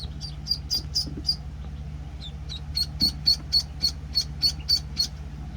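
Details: Penciled call ducklings, a week old, with a few scattered high peeps, then an even series of clear peeps about four per second, set against a constant low hum.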